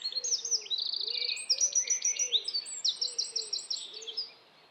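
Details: Eurasian wren song recorded in Estonia, a rapid torrent of high, metallic trills and twittering note runs lasting about four seconds, with a soft, low repeated hooting call from another bird underneath.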